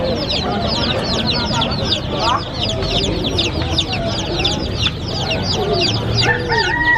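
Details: Colourful baby chicks running and playing. Dense chorus of many high, thin, downward-sliding peeps, rapid and overlapping throughout. A few longer tonal notes near the end.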